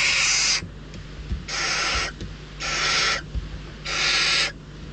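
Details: Hungry barn owl chicks at a nest in Riet Vell Nature Reserve, Ebro Delta, beg with long, harsh, snoring hisses, four breathy bursts about a second apart, over a low steady hum, competing for prey adults bring.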